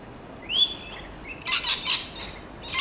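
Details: Rainbow lorikeets screeching while feeding on grevillea in a back garden: a thin rising whistled note, then three loud harsh rasping shrieks in close succession.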